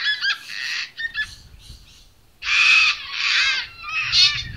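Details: A sulphur-crested cockatoo at St Lukes Church, Gray, Palmerston, near Darwin, Northern Territory, Australia, gives harsh, raspy screeches: a few short ones, then two long grating shrieks and a final rough squawk.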